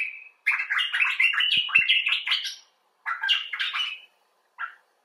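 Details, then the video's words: Expressive common bulbul chatter: a long tumbling run of buzzy warbled notes, a pause, a shorter warbled phrase, and a single brief closing note; two faint low clicks in the background. "Bulbul Talk: The Common Bulbul (Pycnonotus barbatus)"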